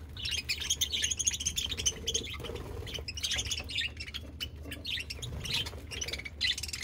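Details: Pet budgies chirping: dense, rapid chatter of high twittering and scratchy notes, several birds overlapping continuously, with a faint low hum beneath.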